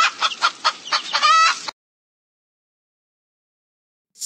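A hen gives about six quick, throaty clucks, roughly four a second, ending in a drawn-out, rising cackle. Silence follows.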